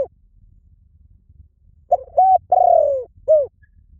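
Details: A single spotted dove phrase: two brief hooting notes, a long mellow coo that slides downward, then a short closing note, after a quiet start.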